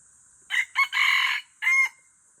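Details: F1 hybrid junglefowl from Aceh crowing: two short harsh bursts, then a long drawn-out bright middle note, then a final clipped note after a brief gap. The whole phrase lasts about a second and a half against a quiet background.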